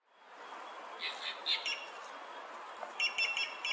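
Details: Green jay (Cyanocorax yncas), an understory forest and scrub bird, giving two quick bursts of short, ringing, metallic notes about two seconds apart over a steady background hiss.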